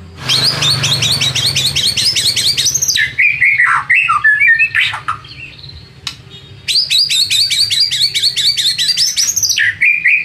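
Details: Lure song of a white-rumped shama, meant to rouse rivals into answering: fast rattling series of repeated high notes, a burst of swooping whistles, a brief pause, then another rapid repeated series.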